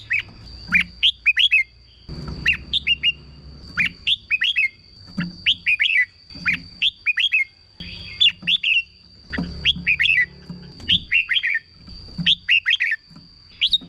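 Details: Caged red-whiskered bulbul song, played to make caged birds eager: repeated short phrases of quick chips and slurred whistles, roughly every second or two, with gaps and a low background rumble.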